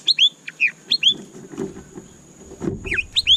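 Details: White-rumped shama giving repeated pairs of sharp, high, downward-slurred chirps, a pause filled with low rustling, then the same crisp chirps again.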